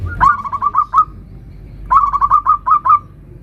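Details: Local zebra dove 'nutut' song used to coax other zebra doves into singing: two quick bursts of bubbling, tremulous coo notes, each about seven notes long, separated by a short pause.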